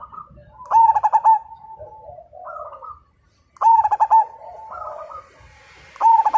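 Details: Majapahit zebra dove singing, said to set other birds singing too; loud bursts of rapid, ringing cooing notes about every three seconds, with softer rolling coos from other doves between them.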